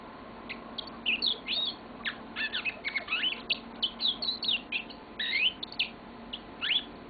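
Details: Caged pet yellow-fronted canary in full, long song: a dense, almost continuous stream of rapid chirps, trills and warbled whistles rising and falling, against a low steady background hum.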